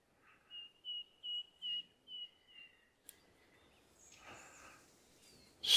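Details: A song thrush in woodland on the Cheshire Three Peaks walk near Bottoms Reservoir, Peak District, repeats a clear, mid-pitched whistle about six times; faint rustling, other distant birds, then a sharp close sound.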